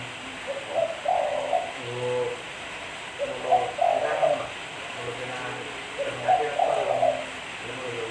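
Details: Spotted dove song of three mellow, low-pitched coo phrases spaced about every three seconds, each a short run of notes, with low hum and hiss beneath.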